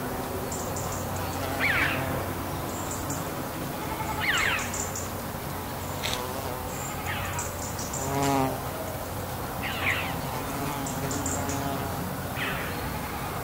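Red-billed chough giving loud, ringing, downslurred calls every few seconds, one lower and huskier, over a steady low hum and faint high buzzing.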